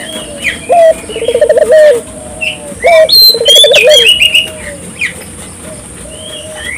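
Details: Dove in energetic calling form, used to prompt local doves to call too; two low, rolling coo phrases, each a short opening note followed by a rapid pulsed trill, near one and three seconds, with higher chirps of other small birds throughout.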